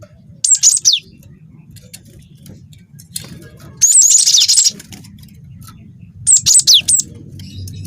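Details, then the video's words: Cinereous tit song used to draw other birds into singing, from a young bird in full voice: three high phrases of piercing notes sliding downward, the middle one a dense buzzing roll, with quiet gaps and faint low rumble. "PANCING BUNYI GELATIK BATU GACOR WINGKO"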